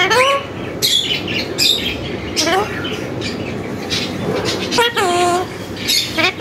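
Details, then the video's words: Tame parrot mimicking human speech, with phrases such as MashaAllah, Allah hoo and kon hay among its repertoire; several short voice-like harmonic words, some rising and falling, spaced through the clip over a steady room-noise background. "full talking parrot"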